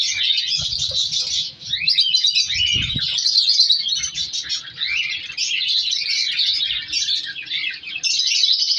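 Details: Breeding colony of captive African color lovebirds, chicks being moved apart from parents: loud, unbroken high-pitched chirping and squealing from many birds, with brief low bumps and handling noises near the start.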